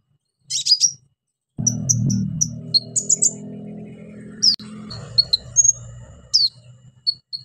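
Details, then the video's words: Orange-headed thrush in energetic song filled with imitations, played to prompt silent birds to sing: high chirp clusters, quick buzzy notes and thin whistles in irregular bursts over a steady low hum. "KONIN GACOR NEMBAK ISIAN PANCINGAN KONIN MACET BUNYI"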